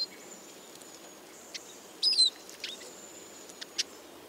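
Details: Eurasian siskin (Spinus spinus) call notes: a brief burst of high, thin chirps with a short falling note, among faint clicks and a steady high hiss.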